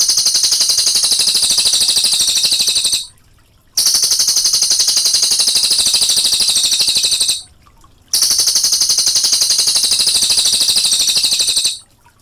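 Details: Brown cililin singing in a rolling, clear, long masteran song with a trickle of water behind it: dense, rapid high twittering repeated about four times a second in bursts of about three to four seconds, separated by short silent breaks.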